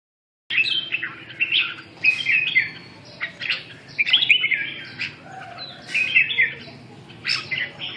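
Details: Red-whiskered bulbul singing: bright, warbling whistled phrases between 2 and 4k, delivered in short bursts roughly every second or two with brief pauses, over a faint low hum.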